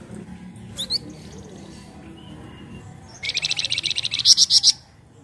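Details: Flamboyan singing as a lure for other birds: after a brief high squeak and a stretch of low background hum, a fast, buzzy series of high repeated notes finishes with three louder, piercing notes.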